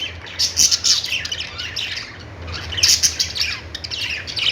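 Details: Budgies singing: bursts of bright, high chirps and short warbled notes from several birds, in two clusters about two seconds apart, over a faint low hum.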